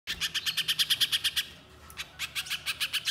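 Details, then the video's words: Little spiderhunter in vigorous song, used as a lure to prompt other spiderhunters to sing: sharp, high chipping notes repeated about six times a second, a brief pause, then the rapid series resumes. "Masteran Pijantung Pisang Gacor, Pancingan Pijantung Bahan Agar Bunyi"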